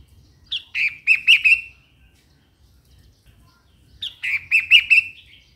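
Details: Bulbul song in two matching phrases about three seconds apart, each a bright opening note and a rippling burst of fast chirpy notes.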